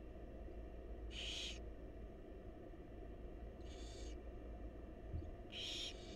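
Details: Three rasping begging screeches from wild barn owl chicks fed by their mother in a monitored nest box, the calls spaced about two seconds apart above a steady low hum.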